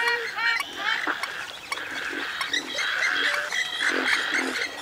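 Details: Drawn-out, wavering nasal wails from a Western swamphen, rising and falling over several seconds, with short grunting notes and faint higher whistles around them.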